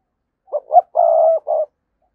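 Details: Spotted dove used as a lure bird, cooing in 2022: two short clipped notes, then a long rolling croo and a final short coo, low and mellow, on a quiet background.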